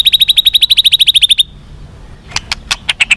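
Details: White-rumped shama song aimed at making captive birds more responsive and fighting: a fast run of about fifteen high, sharp repeated notes, a brief silence, then several clipped high chips.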